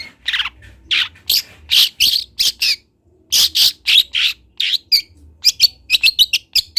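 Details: Young speckled long-tailed shrike from Kendal, Indonesia, learning to sing for a training recording: loud, harsh, scratchy notes in quick bursts, a short pause near the middle, then faster chattering notes.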